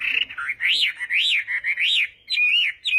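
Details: Chinese hwamei in a morning practice session for singing duels: loud arching whistled notes rising and falling, three in a row, followed by quick sharp whistles.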